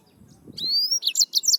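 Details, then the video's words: Song of a yellow-fronted canary, Serinus mozambicus: a drawn-out, slightly rising high whistle, then three or four sharp, sweet chirps in fast succession. "Yellowfronted canary - Serinus Mozambicus - Beautiful Bird Chirping"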